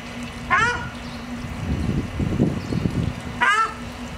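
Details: Ruddy shelduck family with ducklings at Aeres Barneveld giving two loud nasal honks about three seconds apart, with low rumbling, murmuring noise between them and a constant low hum.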